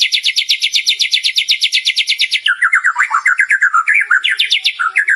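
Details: Singing white-rumped shama in lively, non-stop voice, showing off varied learned material: a rapid high trill of sharp repeated notes gives way to lower, quick slurred whistles that rise and fall in a jumbled warble.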